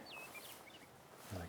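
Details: Blackbirds heard in mid-May along creek and wetland trails in Livingston, Montana: a clear, high whistle that slides down and holds briefly, then a few short thin notes; a soft low thump near the end.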